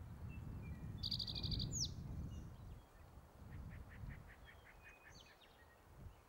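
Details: Territorial male spotted towhee at Metcalf Wildlife Management Area, Nebraska, on May 23, 2023, sings one fast buzzy trill with a slurred ending, with wind rumble and a series of softer notes from other birds afterward.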